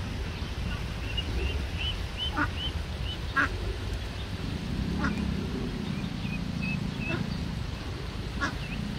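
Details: Eastern spot-billed duck family with many ducklings on an urban stream, the young straying apart as the mother calls; thin high peeping notes scattered through the clip over steady low traffic or wind rumble, with occasional clicks.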